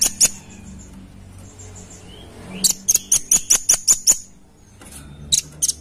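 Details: Red-billed blue magpie uttering bursts of sharp, very high ticking notes, one long rapid run of about nine clicks mid-way with shorter pairs before and after, and brief soft chirps between.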